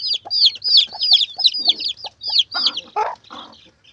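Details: Chicken chicks peeping, used as a lure for hunting civets: rapid high, bright peeps with sharply falling pitch, about three per second, with some lower clucking noises near the end.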